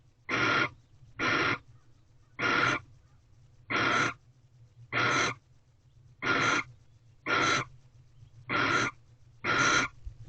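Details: Barn owl pair bonding in an owl box at a corral, late afternoon, 26 February 2023. Harsh breathy hisses, each about half a second, repeated steadily nearly once a second, nine in a row, over a low constant hum.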